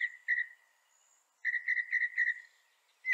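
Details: Northern mockingbird song with short, mid-pitched whistled notes in bursts. One brief pair is followed by a pause, then a rapid run of five or six similar notes.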